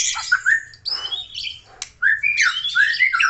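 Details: White-rumped shama from Aceh in lively song: harsh raspy bursts mixed with quick upward-slurred whistles and chattering phrases, broken by short pauses.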